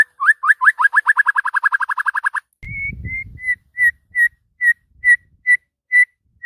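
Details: White-rumped shama in full morning voice: a rapid accelerating series of rising whistled notes, then after a brief low rumble, evenly spaced clear flat whistles repeated about twice a second.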